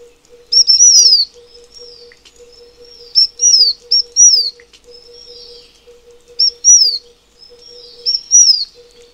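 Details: Taiwan fulvetta (Alcippe formosana), a Taiwan-endemic bird of high mountains, gives thin, high, down-slurred notes in short bursts every two to three seconds, over a faint, steady, low pulsing hum.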